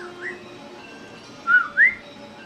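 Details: Parrot in India, said to talk and make funny sounds while sleeping: two short, clear whistled notes close together, the second sweeping upward, over a faint steady indoor hum.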